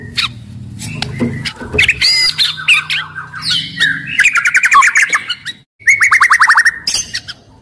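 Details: White-rumped shama, aggressive and loud, singing to rouse other shamas to song and fighting; harsh squawky notes and chatter give way to fast, evenly repeated rising whistles in quick series, with low background hum.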